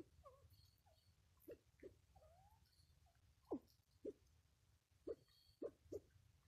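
A Mikado pheasant gives soft, low clucking notes at an uneven pace, with a few faint higher chirps over a steady low rumble.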